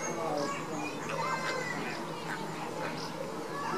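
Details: Caribbean flamingos during baseline activity: a run of nasal, goose-like honking calls with stacked overtones, several overlapping, with thin high whistles from other birds and a constant hum of background noise.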